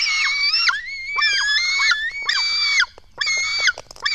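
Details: Black stork nestlings being fed at the nest in Latvia, early on 24 June 2016. Rasping, wheezy squeals in overlapping bursts, each a half second to a second long, voices sliding down at the ends.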